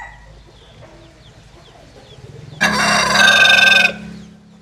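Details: A quiet background with faint distant calls, then one loud, bright, harmonic rooster crow lasting about a second and a quarter.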